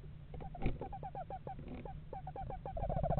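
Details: Eastern screech owl pair checking out a nest box in a yard in November; a rapid series of short, downward-bending hoots with uneven spacing, ending in a brief steady trill, over a low background hum.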